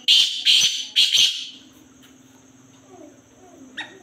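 Black francolin giving four loud, harsh, grating notes in quick succession over about a second and a half, then near quiet with a faint chirp.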